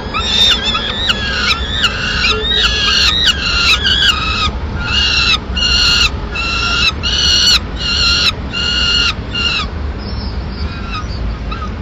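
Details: Mid-morning feeding at a Madrid peregrine falcon nest, the female bringing leftover pigeon: a run of grating wailing calls, quick and overlapping at first, then evenly spaced, fading out after about ten seconds.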